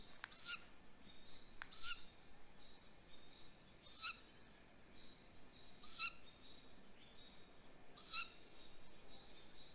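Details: Great grey owl chick on a live nest cam at a prey drop, 7:35 pm on 20 May 2020. Harsh, screechy rasping calls come about every two seconds, five in all, over a faint steady background hiss.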